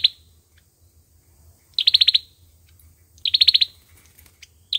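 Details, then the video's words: Olive-backed sunbird fighting song: short bursts of five or six rapid, high chipping notes, each burst lasting about half a second and separated by roughly a second of quiet, with a faint low hum underneath. "sâu dừa hót đấu"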